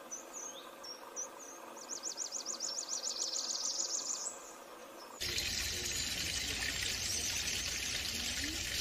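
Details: Blackburnian warbler linked to Bogor: a few very high, thin notes lead into a fast, even zigzag trill of about a dozen pulses. Then a sudden loud hiss of broadband noise takes over.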